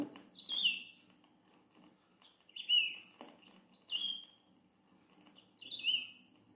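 Saffron Finch singing four bright, chirpy phrases with sliding notes, spaced about one and a half seconds apart, over a faint low hum.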